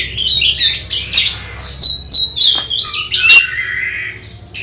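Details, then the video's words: Oriental magpie-robin in contest preparation, singing clear whistled phrases and descending slurs mixed with harsh squawks, ending in a softer drawn-out note. "Test Mental Kacer Persiapan Lomba Burung Berkicau"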